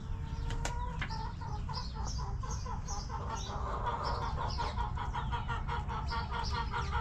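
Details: Backyard chickens in their coop. A drawn-out tonal note opens, then hens cluck in quick, throaty, repeated pulses that grow denser toward the middle and continue to the end over a low rumbling background.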